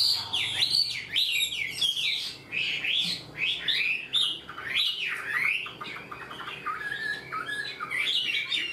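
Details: Chinese hwamei, a wild-caught cage bird that sings readily in a structured style like a tamed bird, pouring out loud, varied whistled phrases with swooping up-and-down notes in quick succession; faint low hum underneath.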